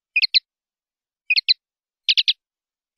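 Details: Common linnet, clean-style song from a 2019/2020 CD: quick groups of two or three high, dry chirps, one group denser and buzzier, in an otherwise silent background.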